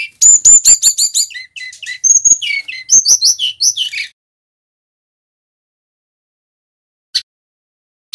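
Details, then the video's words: Continuous rolling song of a male Brown-chested jungle flycatcher from Bali, used for tutoring and prompting other songbirds: four seconds of rapid high whistles, clicks and rattling notes, then silence broken by two brief faint ticks. "Sikatan Rimba Dada Coklat Bali Jantan GACOR - Suara MASTERAN & Pancingan SRDC"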